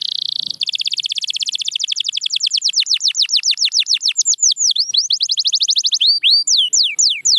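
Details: Canary song played to coax quiet canaries into singing: a buzzy steady trill opens, then fast rapid repeated high descending whistled notes, later slower looping swoops, continuous throughout.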